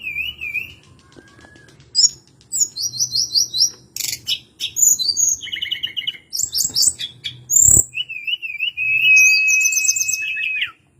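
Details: Song of the hill blue flycatcher (tledekan gunung): buzzy trilled bursts and chattering runs, then a wavy whistle ending in a long even note.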